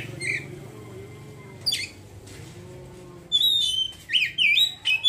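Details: Oriental magpie-robin, ngeriwik song style: a short whistled note and a quiet stretch, then a fast burst of whistled and twisting notes near the end, over faint background hum.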